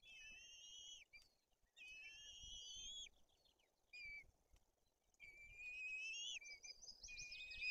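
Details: In Bory Tucholskie, Poland, a white-tailed eagle female feeds two chicks while the older one shows aggression; quieter thin whistles come in separated bursts, some rising, amid soft outdoor background noise and a brief twittering near the end.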